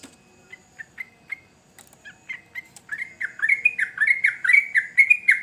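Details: Sooty-headed bulbul song begins with a few sparse, spaced chirps, then speeds into a dense, loud run of bright dipping whistles about two per second.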